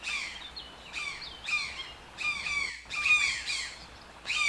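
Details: Toucan calling in repeated short bursts of rasping, falling squawks about once a second, the notes harmonically rich and nasal.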